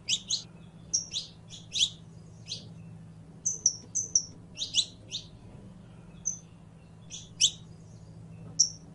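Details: Saffron finch, known locally as canario criollo, singing: sharp high chirps and short whistled notes in irregular bursts, some doubled, spread across nine seconds over a faint low hum.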